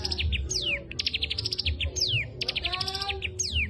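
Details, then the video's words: Energetic cigun singing its kapas tembak material, bursts of crisp high staccato notes alternating with sharply descending slurred whistles, delivered continuously with a low hum behind. "Cigun materi kapas tembak Gacor"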